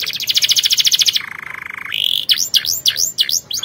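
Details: Canary singing as training for other canaries: a fast pulsed trill, a lower rattling roll, a steady high whistle, then repeated sharp sweeping notes in a varied, energetic sequence.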